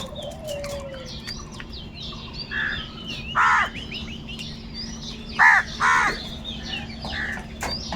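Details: Crows crowing while searching for food: several harsh, hoarse caws, one short and a loud pair, then two more in close succession with fainter caws between, over steady chirping of many small birds and a low constant hum.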